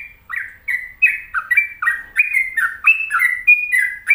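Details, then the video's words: Sooty-headed bulbul in energetic song: loud, bubbly whistled notes follow each other rapidly, each note bending in pitch and pairs stepping between higher and lower tones, in a quiet setting. "Pokoknya Cari Trucuk yang Gacor"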